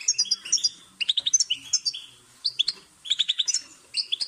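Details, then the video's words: European goldfinch song for teaching cage birds: clusters of fast repeated chirps, a few slurred buzzy notes, and pauses of about half a second between phrases. "New Goldfinch Stimulation with Best Support your Bird will Chirp"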